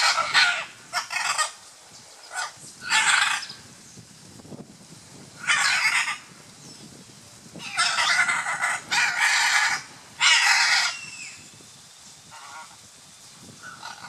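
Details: Scarlet macaws (Ara macao) during courtship display at Playa Blanca, La Palma, Osa Peninsula, Costa Rica, give harsh, raucous squawks in grating bursts of about a second, some paired, separated by short pauses, over soft background hiss.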